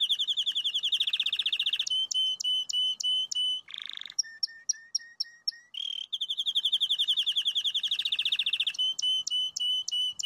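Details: Crested canary singing: a fast buzzy rolled trill, then crisp repeated two-part notes, a low steady whistled series, another long rapid trill, and more sharp repeated notes, all high-pitched and clean with little background noise.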